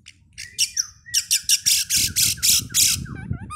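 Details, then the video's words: Oriental magpie-robin lure song used before a singing contest: a loud series of harsh, rasping notes about three per second, with short downslurred whistles underneath and a few quick twittering notes at the end. "PANCINGAN KACER SEBELUM NAIK GANTANGAN AGAR MAU BUNYI DI LAPANGAN"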